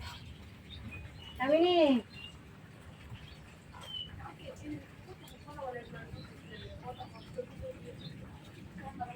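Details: Captive common hill myna, one of three kept birds, imitating human speech in a woman's voice in Bangladesh; a single loud harmonic rising-falling utterance about two seconds in, then quiet room noise with faint murmurs and human voices coaxing it.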